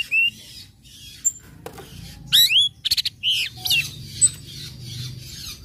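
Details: Orange-headed thrush song in the ngecip, ngecit and ngeplong style, used to stir other birds into singing: short high whistles, a bright upswept phrase, then clipped chirps and a lone thin whistle, with quiet gaps between.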